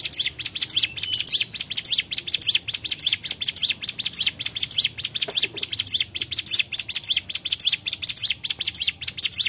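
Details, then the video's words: Bar-winged prinia in lively song: rapid series of thin, high chirps and tweets, about two per second, running continuously without pause. "CIGUN GACOR"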